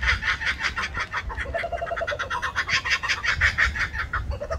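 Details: Laughing kookaburras in suburban Sydney cackle in a raucous chorus of harsh, rapid notes, nearly three a second, with a few lower hooting chuckles mixed in.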